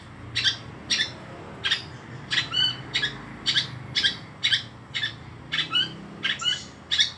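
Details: Long-tailed shrike in full song, repeating harsh, rasping notes about twice a second, some with short whistled tails that drop in pitch.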